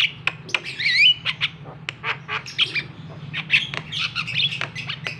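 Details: Javan myna provoking call to set a reluctant bird singing: dense harsh squawks, twisting squealed whistles and quick clicks, almost continuous, over a low background hum.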